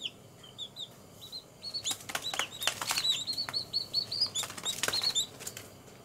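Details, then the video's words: Baby chickens one day old peep steadily in high, slightly arched notes, growing busier midway, with sharp rustling and tapping sounds throughout. "Chirping and Sleeping of cute baby chicks"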